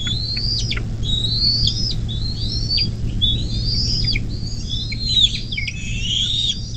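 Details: High, squeaky, whistled chirps from a Bald eagle nest beside the Little Miami River in southwest Ohio, USA, recorded on 24 May 2024 at 10:12. The notes come in quick, uneven runs over a low steady drone.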